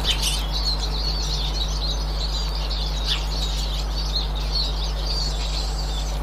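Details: Eurasian siskin recorded 18 March 2024, giving busy high-pitched twitters and chirps in a steady stream, a louder slurred note near three seconds, with a persistent deep hum beneath.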